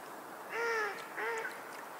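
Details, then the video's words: Two harsh, slightly descending seabird cries, each about a third of a second long, over a steady wash of waves on a seashore. "natural sea birds and waves sound"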